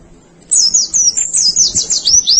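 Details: Short burst of white-eye masteran song for training birds: after a moment of quiet, a dense run of high, twittering slurred notes with quick trills.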